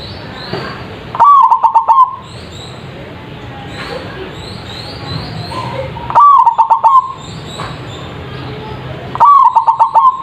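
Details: Loud-voiced zebra dove singing, a lure to get birds answering: three rhythmic cooing phrases several seconds apart, each a brisk series of pulsed notes, with high twitters of other birds in the gaps.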